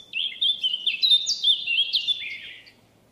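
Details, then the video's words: A single continuous phrase of clear, liquid whistled notes from a wild Eurasian blackcap, rising and falling quickly for over two seconds before fading out. "chant & cri de la fauvette à tête noire HD - song & call eurasian blackcap"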